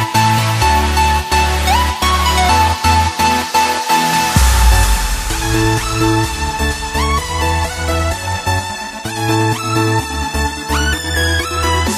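Loud electronic dance music with a steady driving beat, deep bass and synth tones, and no animal sounds.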